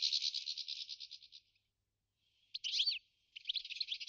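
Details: New Forest goldfinch giving a buzzy pulsed trill that fades out, a short pause, then a quick burst of sharp rising and falling chirps followed by more rapid twittering.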